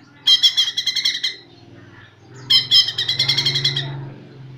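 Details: Greater green leafbird learning to sing: two bursts of rapid, harsh, repeated chattering notes, each burst lasting about a second, with a low hum underneath.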